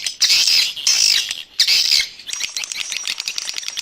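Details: Swiftlets in an external house sound: three long, rasping, buzzy squawks, each about half a second, then a fast, uneven patter of thin high chirps and clicks to the end.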